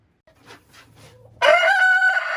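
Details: Leghorn rooster starts a crow after faint rustles and soft low sounds, a sudden loud harmonic call rising slightly and then holding level, cut off as the recording ends.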